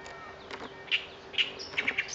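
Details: Birdsong among fresh spring greenery at Lake Kawaguchi: scattered short chirps and a few bright notes over steady background hum.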